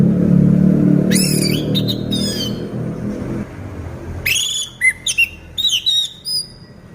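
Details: Caged orange-headed thrush in moult, still singing persistently: short bursts of sharp, rising whistled notes with ringing overtones, sung in two clusters in the second half. A loud low rumble like passing traffic fills the first half.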